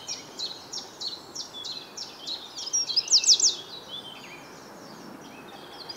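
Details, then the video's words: Eurasian wren, breath visible in the cold morning air, Reading, UK, 9 April 2022: quick high repeated notes build into a brief loud rattling trill, then fade to quieter high twittering. "Wren singing with visible breath on a chilly morning"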